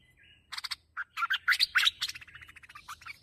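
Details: Bulbul (merbah), sound for luring the birds: a short whistle, then a fast run of scratchy, tumbling chirps that grow louder and then trail off into softer rapid notes.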